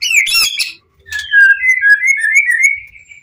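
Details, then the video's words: White-rumped shama of the Pastol PTRK BF line in full emotional song, meant to draw answers from other shamas: a burst of scratchy chatter, then a long run of clear rippling whistles held at a steady pitch. "Murai Batu Pastol PTRK BF full emosi ... pancingan murai lain bakalan nyautt.."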